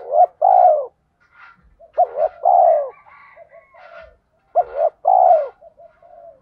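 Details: Spotted dove giving 'thổ'-voice challenge calls blended with calling song to provoke fighting. Three groups of low coos, each a clipped note or two and then a drawn-out, rolling churr, separated by gaps holding faint higher background chirps.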